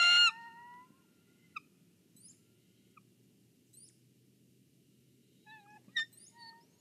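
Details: Nest-cam recording of a bald eagle guarding the egg in Kisatchie National Forest: an opening loud, harsh burst followed by sparse, faint, falling whistled chirps and a brief thin chatter near the end over a low hum.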